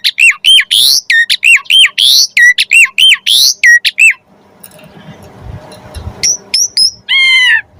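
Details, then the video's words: Asian pied starling song used to get other starlings singing: four seconds of rapid, harsh squawks mixed with arched whistles, then a quiet gap, a few high whistled slurs, and a final rolling phrase. "Jalak Suren Gacor Full Isian Pancingan Burung Jalak Agar Cepat Gacor Isian Mewah & Bagus"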